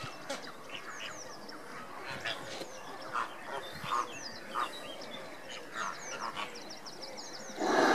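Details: Andean flamingos displaying on 29 April 2014 give overlapping nasal, goose-like honks every second or so, with thin high chirps running over the top.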